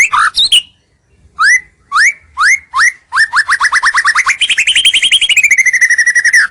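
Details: White-rumped shama singing a lure song used to draw rivals closer, clear and bright: a few separate rising whistles, then a fast run of repeated upslurred notes that speeds into a continuous trill.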